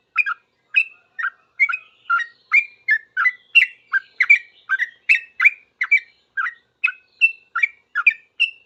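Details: Sooty-headed bulbul singing vigorously in reply to other bulbuls, breaking into noisy rapid calling: a steady run of about seventeen short bubbly, whistled notes, each rising then dropping, roughly two per second, no other sounds.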